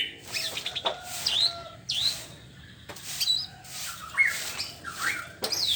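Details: ['White-rumped shama singing in the morning: short bursts of high, sliding whistles and sharp chirps, some sweeping down and others rising, separated by brief pauses over a soft background hiss.']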